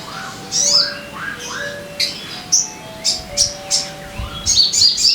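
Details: Sogon song used to coax caged birds into singing: short, sharp, very high chips at irregular intervals over softer, lower whistles from other birds in the background.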